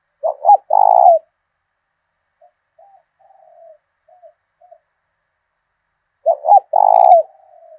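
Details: Caged decoy spotted dove with a 'thổ đồng' style voice from southern Vietnam, used to goad wild doves into fighting. Two loud stuttered-then-drawn-out coo phrases open and close the clip, with faint low notes in the gap.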